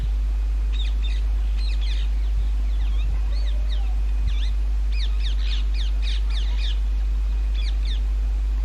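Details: Rose-ringed parakeets nesting in holes of old railway bridges in the summer breeding season give many sharp, arching screeches, often in quick pairs and clusters, against a constant low background hum.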